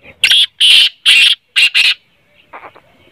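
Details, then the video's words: Black francolin call of the kind played to set a kept francolin calling: five harsh, grating notes in a fast, rhythmic series, trailing into softer scratchy notes. "kale teetar ko jaldi mast kerne wali awaz|kale tetar mast awaz| تیتر بولائی نہیں کرت یہ آواز سنائیں"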